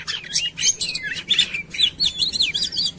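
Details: Fast, loud Oriental magpie-robin lure song to set other birds singing: bright looping whistles and quick warbled phrases packed closely together in a steady stream.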